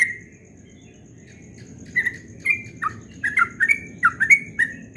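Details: Yellow-vented bulbul in ropel dawn song: after a quiet start, loud clipped whistled notes begin and quicken into a tight burst of rising and dropping slurs in the last three seconds, with a thin constant high tone underneath.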